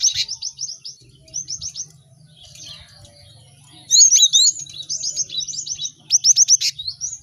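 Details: Cinereous tit singing, for caged birds learning quickly: short groups of rapid sharp notes, a quiet pause, then loud twisting whistled phrases and fast note series.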